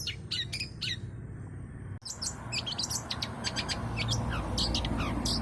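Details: Long-tailed shrike singing busily with many varied fill notes, used as a lure. Quick high chirps and trills run on after a short gap, over a low background rumble.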